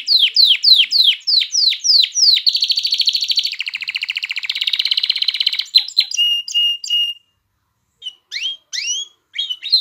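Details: Canary in full song, played to excite females into mating and get chicks singing; a series of descending slurred chirps, then long buzzy rolled trills, clear whistled notes, a pause and scattered rising calls.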